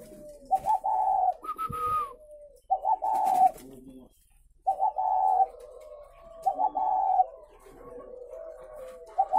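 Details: At a breeding facility in Vân Hòa, Ba Vì, Vietnam, caged spotted doves repeat mellow, throaty coo phrases about every two seconds, each with a stuttered start and a drawn-out middle note. A higher slurred note sounds between them.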